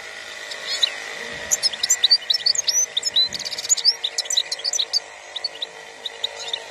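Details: European goldfinch described as wild (khalawi), singing a rapid, continuous twitter of bright, high tinkling and liquid chirps with quick trills throughout, over a steady low hum in the background.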